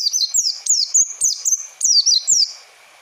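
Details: Oriental white-eye song used as a lure for training young birds: very high, thin, rapid chirps in short bursts, each note sliding sharply downward. The chirps come in quick runs, with a faint steady hum underneath.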